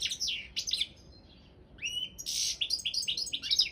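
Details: Balkan goldfinch, Carduelis carduelis balcanica, in a Serbian-organised internet singing championship: a few quick twitters, a short pause, then a rising slurred note leading into a rich, buzzy, tinkling flurry of high notes.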